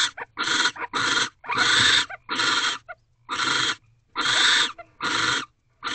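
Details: At 2:16 am in an owl box, a mating barn owl pair gives harsh, hissy screeches, about nine short bursts in six seconds, each under half a second and separated by brief silences, recorded at night during bonding.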